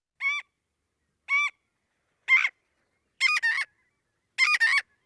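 Marbled Godwit giving loud, nasal, honking calls, single notes at first, then doubled "god-wit" phrases about once a second.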